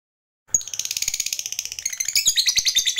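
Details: Fighter lovebird in 'ngekek' chatter, played to prompt other lovebirds to start singing. After half a second of silence, a fast, shrill, unbroken stream of scratchy high notes continues to the end.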